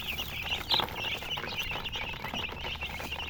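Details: Baby chicks chirping: a steady stream of high, short peeping notes overlapping continuously, with one louder peep near the start, over a low background hum.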